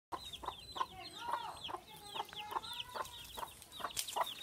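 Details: Mother duck with newly hatched ducklings in the countryside: short low clucking notes repeat about every half second, and the ducklings give thin, high, rapid peeping throughout.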